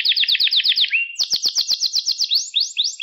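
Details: Canary song for training young canaries: quick descending chirps repeated about four times a second, a brief whistled slide, then another fast series of sharp high notes ending in rising sweeps.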